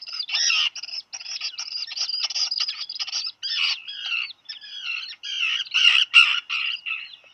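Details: Two black guillemot chicks, hatched in late June, in their nest on Seal Island National Wildlife Refuge, Maine, USA, in July 2020, after a dropped fish: rapid overlapping high peeps and wavering whistles, growing harsher and more varied later.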